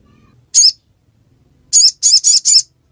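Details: A Little Spiderhunter in Indonesia gives one sharp, high chirp, then a quick run of four similar high notes, each about a quarter second apart.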